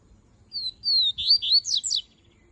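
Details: A coleiro, or double-collared seedeater, delivers its melodic song, a phrase of clear, high whistles that begins level and drawn-out, then turns into rapid warbling notes sweeping steeply down, heard alone in a quiet indoor setting.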